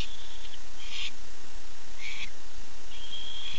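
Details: Calling for his mate at 9:54 pm on 8 September 2015, a male barn owl alternates thin, level wheezing notes with short, loud, rasping hiss bursts about a second apart.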